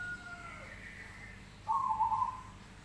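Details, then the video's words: Crossbred crested zebra dove in active song: a faint level whistle fades out, then after a pause comes one loud, rough, buzzy coo held steady at mid pitch for under a second, over a low background hum. "Jambul Perkutut manggung gacor Krosing suaranya seperti ini"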